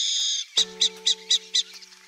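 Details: Burrowing owl (Athene cunicularia) in Brazil giving five harsh, high chattering notes about four per second, over a steady low musical drone, after a brief high tone.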